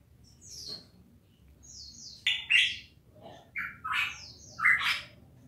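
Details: Cucak emas of the Papua type: loud whistled song phrases in short bursts, some sliding downward and some buzzy, with strong notes near 2–4 seconds and again near 4–5 seconds over a low background hum.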